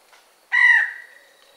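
A peafowl gives one loud, nasal, trumpeting wail, a harsh cry lasting about half a second before trailing off. The background is otherwise quiet.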